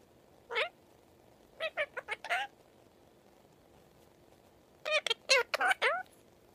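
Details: Indian ringneck parakeet kept as a pet, talking and singing: two quick strings of clipped, speech-like syllables, one short note and four rapid ones, then a pause and five or six more, over a faint steady hum.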